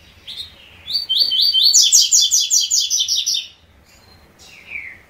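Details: Double-collared seedeater in three-note song style, delivering a loud two-second run of quick high buzzy trill notes, followed by a pause and a single falling slurred whistle.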